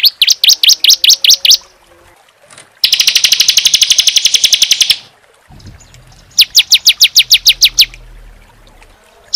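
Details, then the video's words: Bar-winged prinia, ciblek, giving a tembakan AK-47 style, long and tightly packed, kept for training songbirds: a run of high clipped chirps, a pause, a dense machine-gun burst of very rapid notes, then another fast chirping run over a faint low hum. "CIBLEK SEMI ( CISEM) TEMBAKAN AK-47 ngeclak rapat panjang"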